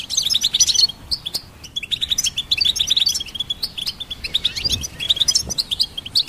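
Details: Goldfinch pouring out quick, jingling high chirps in short clustered phrases, lively and continuous with small gaps between bursts.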